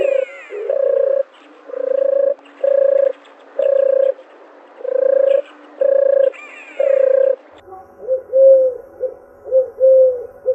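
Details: Dove repeating steady, low hollow coos about twice a second, then switching to quieter, wavering, bubbling coo notes toward the end. A faint high squeal is heard near the start.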